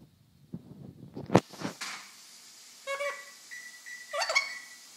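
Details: Pet golden conure playing happily on top of a refrigerator indoors gives a short nasal squawk, a flat whistled note and a harsh buzzy squawk, after bumps, thuds and a sharp knock.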